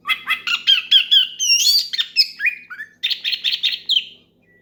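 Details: Oriental magpie-robin in loud, rival-calling song that prompts other birds to sing: quick repeated chattering notes, sweeping whistles and a buzzy run, nearly continuous over four seconds.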